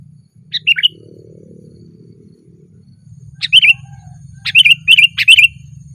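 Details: Sparse loud notes from a sooty-headed bulbul on a branch: a brief opening phrase, a gap, then a run of four or five bright chirps near the end.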